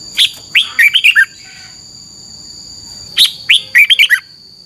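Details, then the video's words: Red-whiskered bulbul singing two bright, bubbly whistled phrases of about six quick notes each, three seconds apart, over a faint steady high-pitched whine. "ฝึกนกกรงหัวจุกคึก เสียงดีมาก"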